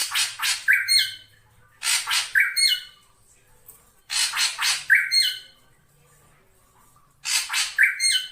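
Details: Black drongo lure call, given as repeated phrases about every two to three seconds, each two or three harsh scratchy notes ending in a brief rising whistle.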